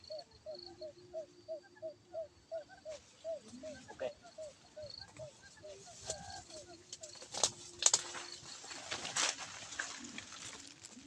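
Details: Quail trap call used to lure birds: a steady run of short, mid-pitched hooting notes about twice a second, fading into rustling, handling noise and a human voice in the second half.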